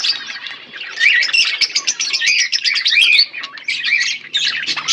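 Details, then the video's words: A budgerigar pair chirping, warbled chatter building into a run of bright, wavering whistles and buzzy notes, then easing briefly before resuming. "My beautiful budgies parrot pair 💙💛Budgies chirping sounds"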